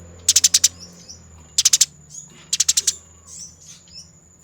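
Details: Eurasian tree sparrow fighting, a training master recording: three short bursts of four or five quick harsh ticks, separated by pauses with softer faint notes and a steady high whine.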